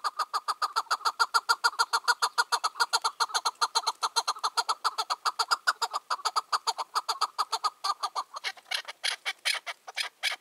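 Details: Free-roaming wild Chukar partridge, aged five or six, on a June 2023 evening, delivering a long fast run of harsh, evenly spaced chuck notes, over two per second, which turn rougher and more spaced toward the end.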